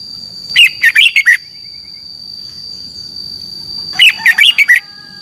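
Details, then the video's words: Competitive morning song of a red-whiskered bulbul, used to push other birds to sing: two lively phrases of five or six bouncing, whistled notes roughly three seconds apart, with a steady faint high-pitched tone underneath. "Luyện chào mào hót sáng - chào mào hót đấu"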